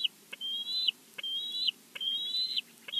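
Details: High piping whistles from a bald eagle at its nest in Big Bear on a live nest camera, each note long and level then dropping sharply, repeated a little more than once per second.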